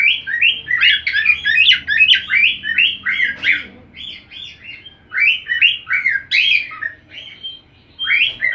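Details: Cockatiel whistling a song picked up from another cockatiel, as a training method for pet birds: long, nearly continuous chain of slurred, rising-falling whistles at a steady quick pace, with one brief lull.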